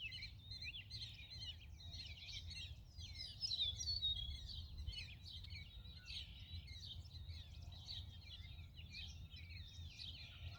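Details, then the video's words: Purple martins at a lakeside nest house: a dense, continuous chorus of gurgling, twittering calls from several birds overlapping throughout, with steady low wind or water rumble underneath. "Purple Martin's enjoying lake side condo!"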